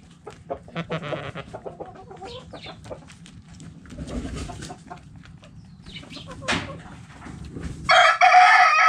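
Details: Backyard chickens in a coop, hens clucking with short repeated notes, then a loud harsh crow-like burst near the end.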